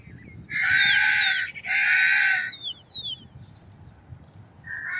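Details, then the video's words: Crow producing two loud, raspy caws in quick succession, each nearly a second long, followed by thin high whistles of small birds and the start of another caw at the end. "Sound of a Crow - Crow Cawing Sound Effect"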